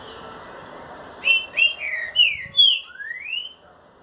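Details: A Green-winged Saltator sings its "boiadeiro" song type, a short phrase of about six rich, slurred whistles ending in a long rising note, over a faint background hum.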